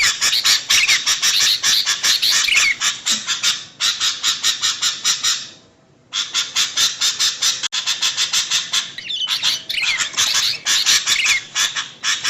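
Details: Lure recording of a female Sooty-headed bulbul calling to a male. Fast, harsh chattering pulses run about twice per second with scattered slurred whistles. There is a brief quiet gap midway before the noisy bursts resume.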